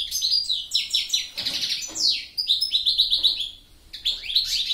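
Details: Goldfinch singing a fast, tinkling twitter of high sweet notes and short buzzy slurs, delivered in bursts with brief pauses, with a clear descending whistle near the middle.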